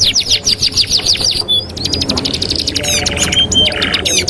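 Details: Canary singing, used to train canaries: a fast trill of repeated down-slurred notes, a short upward whistle, then a soft buzzy rattle and chattering phrases, over a faint low drone.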